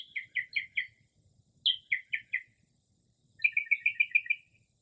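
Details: Northern mockingbird giving a midnight song in early spring, copying other birds' calls; three separate bursts of rapid repeated chirps, the last a fast chattering run of about seven notes, quiet night otherwise.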